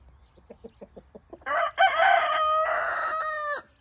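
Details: Rooster crowing on an evening among hens scratching in golden light: soft clucks repeated first, then a loud harsh crow held for about two seconds and ending in a falling note.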